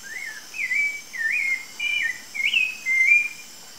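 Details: Rufous-bellied Thrush (Turdus rufiventris) in the wild gives six mellow whistled notes in steady succession, each wavering or swooping, the last held level, with a faint steady hiss behind.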